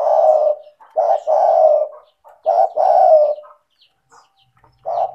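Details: Lure recording of an actively calling spotted dove, meant to prompt lazy doves to call: rich, low coos, each short note followed by a longer drawn-out one, repeated in close succession.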